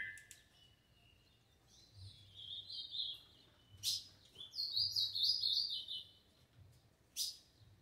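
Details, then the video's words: Green-winged saltator singing the doubled 'tio João' song style: a short whistled note, then warbling phrases broken into rapid notes, later a louder wavering series, with faint low background hum. "Trinca ferro tio João dobrou"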